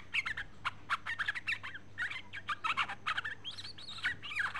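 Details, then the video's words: Female sooty-headed bulbul calling to the male: a busy run of bright, chattering notes, short whistles and bubbly trills tumbling over one another almost without pause, with a steady low electrical hum underneath. "Suara Panggilan trucuk Betina memanggil jantan"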